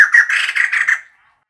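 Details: Female White-crested laughingthrush giving a decoy-type call: a short, one-second burst of harsh rattling chatter that opens with a thin squeak and fades quickly.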